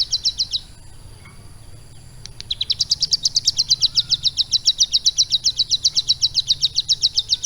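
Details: Captive ciblek gunung prinia, tutored for roughly three months with lovebird song as its model. A short high trill, a pause of silence, then a long run of rapid, sharp, evenly repeated notes, about four per second.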